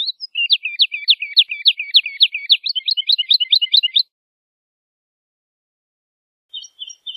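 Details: Woodlark (Lullula arborea) singing a four-second run of crisp, evenly repeated high notes with a thin overtone above them. After a pause, the next phrase begins.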